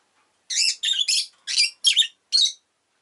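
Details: Rosy-faced lovebird giving a rapid run of six harsh, high, buzzy chirps in about two seconds, each short and squeaky, closely spaced with brief gaps between.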